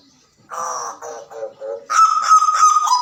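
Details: Hooded butcherbird calling: coarse, nasal honking notes in short bursts, then a loud, ringing, harmonic call held and repeated in rapid pulses.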